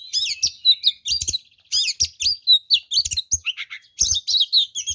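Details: Oriental magpie-robin singing hard in fighting mode, packed with varied fills to provoke rivals: loud, choppy phrases of up-slurred whistles and chattering notes, roughly every second or two, with soft low thuds.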